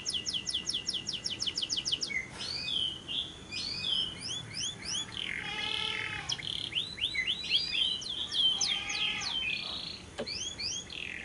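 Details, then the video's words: Lovebird lure recording meant to prompt other lovebirds to sing by day or night, in the long ngekek trill style: a fast high trill in the opening two seconds, then busy chattering chirps and squeaky rising notes. "Pancingan Suara Burung Lovebird yang pas untuk Siang dan Malam hari, masteran labet ngekek panjang"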